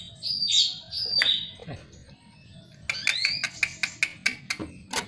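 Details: Greater green leafbird singing, used as a lure to get other birds singing: clear sliding whistles, then a run of sharp, evenly spaced clicking notes with short whistled slurs over a faint background hiss.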